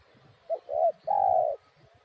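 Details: Spotted dove cooing: a short mellow note, then a fuller coo and a long even drawn-out coo, all low and soft.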